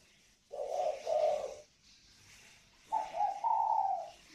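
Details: Pair of northern Vietnamese spotted doves, native birds with a ringing 'còi vang' coo, kept at a bird garden near Hanoi. Two hoarse, wavering cooing phrases about a second long each, with a pause between them.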